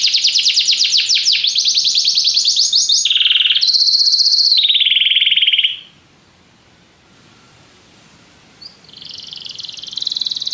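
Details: Canary song: fast sweeping notes and buzzy trills for about six seconds, a pause, then a softer trill returning near the end.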